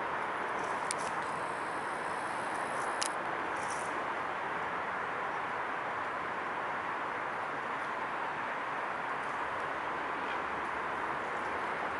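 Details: Steady, dense broadband rushing noise like wind or flowing water throughout, with a few faint high clicks early on and no animal voice.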